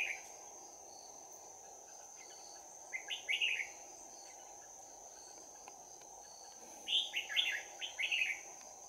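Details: Red-whiskered bulbul, trapped in Đồng Nai on 11 January 2019, sings a bell-voiced fighting song: two bursts of quick, bright warbled notes about four seconds apart, over a steady high insect whine and quiet background.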